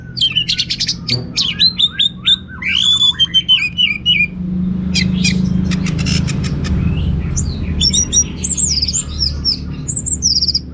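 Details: Vigorous 'teler' song from an orange-headed thrush, varied and rich: dense rapid strings of high chattering and trilled notes, twisting whistles and sharp clicks, continuing almost without pause over a faint low hum.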